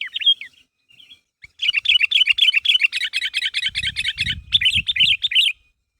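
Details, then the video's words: Sooty-headed bulbul (kutilang) calling lively to provoke others into responding, played as a lure: a sharp opening note, then a long, rapid run of chattering chirps for about four seconds, with low thumping noises midway. "Suara Burung Kutilang Gacor Memanggil Temannya Agar Bunyi"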